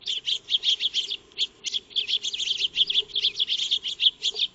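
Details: Feeding Eurasian tree sparrows (maya birds) in a backyard, filmed by a solar-powered trail camera; dense, almost continuous chatter of quick high chirps from several birds, barely pausing.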